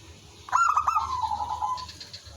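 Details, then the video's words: Local zebra dove in lively song, used as a lure bird so others call back. One phrase of rapid clipped coos melting into a long soft trill that slowly sinks in pitch. "suara merbok kampung/perkutut lokal gacor manggung jadi pikat pancingan semua jadi nyaut"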